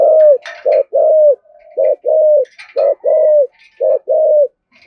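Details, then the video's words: Spotted dove cooing in the 'thổ' voice and 'thúc gù' style, meant to provoke other doves: steady low coos, a clipped note then a drawn-out slurred one, repeated about once a second, with light rustling. "cu gáy giọng thổ thúc gù dùng kích bổi, bổi nghe rất nhại gáy"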